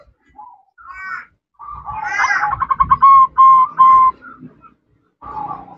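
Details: Female zebra dove calling to a male, with call styles locally named ngerot, nretek and manggung: a rapid pulsed rattle, then three steady clear notes in quick succession, with softer throaty sounds before and after.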